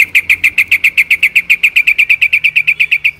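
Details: Sooty-headed bulbul delivering a fast, even trill: about twenty bright, clipped notes in just over three seconds, each identical and evenly spaced, with faint low background noise.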